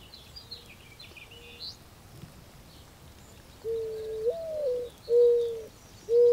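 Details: Mourning dove giving its mournful coo after a few seconds of quiet with faint distant notes and high twittering of other birds: a rising, swelling first note followed by steady, drawn-out low coos.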